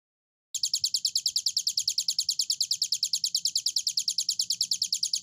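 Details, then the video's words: Hill prinia in long, vigorous song: after a brief silence, a rapid, evenly spaced series of high, sharp chipping notes repeated about seven times a second without pause, with faint low rumble beneath. "burung ciblek gunung durasi panjang gacor"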